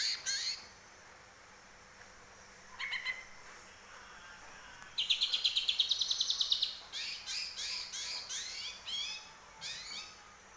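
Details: Greater green leafbird kept at home, trained with grey-cheeked bulbul (cucak jenggot) phrases, gives scattered sharp chirps, a short burst of rapid high trilled notes, then varied loud whistled calls.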